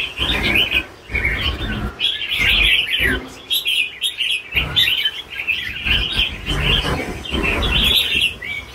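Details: Mature red-whiskered bulbul in the super 'lân bổi' song style, delivering lively, near-continuous bursts of bright, warbling, chattering phrases with brief pauses between bursts, and soft low knocks beneath.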